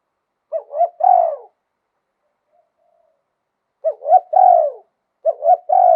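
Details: Spotted dove in Thailand, liu tan song of wild type: low hollow coo phrases of two quick notes and a drawn-out falling coo, repeated after a pause of nearly three seconds, a third phrase starting at the end.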